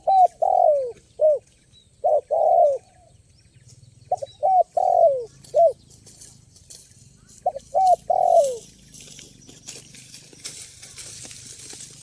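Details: Spotted dove heard at a bird-luring location, singing crisp, varied phrases of rounded mellow coos in groups of three or four, followed by rustling noise near the end.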